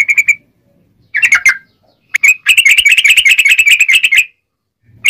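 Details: Yellow-vented bulbul giving sharp, clear ngobra song, a master track also used as a lure for trapping wild birds: short chirp groups, then a long fast rolling trill of piercing notes.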